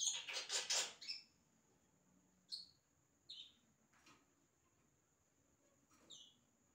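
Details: Yellow-rumped cacique singing imitations: a dense cluster of harsh, broadband notes in the first second, then several brief, thin, high whistled slurs spaced about a second apart, with a steady high electronic tone running throughout.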